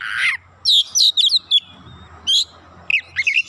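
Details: Oriental magpie-robin answering eagerly, unloading its fill-in song. One loud buzzy note, then quick high slurred whistles in short bursts, a pause, and a final cluster of chirps, with a low hum beneath.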